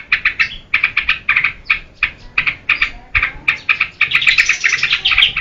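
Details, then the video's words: Yellow-vented bulbul (trucukan) singing actively, used as a lure and tutor for training cage birds: quick bursts of bubbly, chattering notes repeated about three times a second, ending in a denser, faster warbling run. "SUARA TRUCUKAN GACOR UNTUK PANCINGAN DAN MASTERAN"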